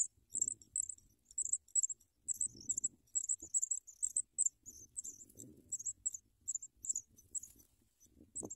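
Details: Sprague's pipit babies begging for worms brought by an adult. A continuous run of piercing, high squeaky chirps comes in irregular clusters, mixed with intermittent low rustles and bumps.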